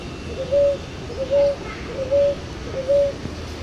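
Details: Ruddy ground dove, known in Brazil as rolinha-roxa, giving soft low coos, each a short lead-in note then a longer level tone, repeated about every 0.8 seconds over a steady low rumbling background hum.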